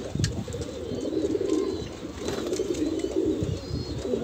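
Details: Several Kalsera pigeons of the Banarasi type, kept for sale in Allahabad, produce a dense, low, burbling coo chorus that runs without a break, with faint scattered higher twitters in the background.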